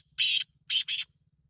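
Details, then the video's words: Black francolin calling with three harsh, rasping broadband notes: a single grating note, a short pause, then a rapid pair, over a faint steady low hum. "کالا تیتر کی آواز"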